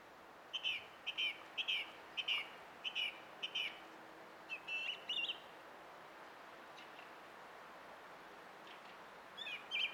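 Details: Song thrush in song on 20 April 2016: a bright phrase repeated about six times, then a different doubled phrase, a long quiet stretch, and a new phrase beginning at the end.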